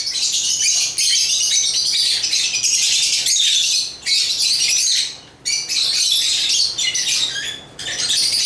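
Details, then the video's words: Continuous shrill chatter from African lovebirds, harsh buzzy squeaks running almost without break, with two short drops in loudness midway. "African Love birds Agapornis chirps singing sounds"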